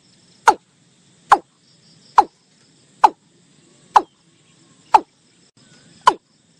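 A watercock gives seven hollow, knocking notes, each short and falling, about one per second, over a faint insect hum.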